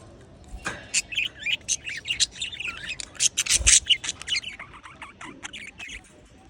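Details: A pet budgerigar, described as happy, chatters in quick, scratchy chirps and warbles, high and busy throughout.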